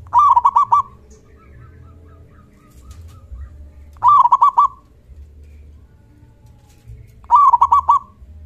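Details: Calling local zebra dove with a loud, big 'kung' voice, meant to draw answers from other doves. Three staccato cooing phrases, each about a second long, repeated roughly every three and a half seconds over soft low hum.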